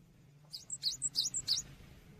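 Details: Cinereous tit song for training songbirds, fairly faint: four to five quick high paired notes, sharp then whistled, against a hissy background.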